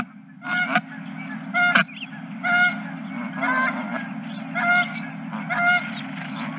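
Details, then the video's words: Honking geese at a ranch on 2023-03-31, loud blaring honks coming roughly once a second, some doubled, with softer calls between them and a steady low hum in the background. "Geese and more Geese"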